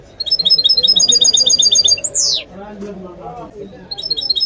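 A goldfinch mule sings a bright, rapid twitter broken by a sweeping downward whistle.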